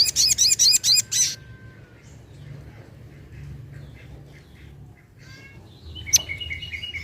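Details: Sunda pin-striped tit-babbler, known locally as sogok ontong or sogon, used as a lure: a fast burst of loud, high, harmonic chattering notes, about eight in just over a second, then a quiet stretch with faint chirps and one sharp note.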